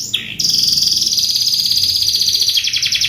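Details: Canary song for training, opening with a brief sweeping note before settling into a sustained high, rapidly pulsed trill that holds steady pitch and breaks into separate quick notes at the close.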